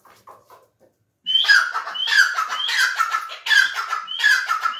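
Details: Grey francolin call: a few faint soft notes, then a loud run of harsh phrases, each a short rising whistle followed by a rasping descending burst, repeated roughly every seventh-tenths of a second.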